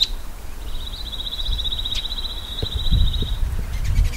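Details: Shining Sunbird in natural desert habitat of Africa or Arabia giving a long, steady, very rapid high trill lasting about three seconds, followed by faint chips; dull low thumps and rumble sit underneath.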